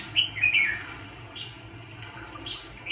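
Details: ['Red-whiskered bulbul decoy for catching fighting birds opens with a quick bright warbled phrase, followed by a few fainter chirps.']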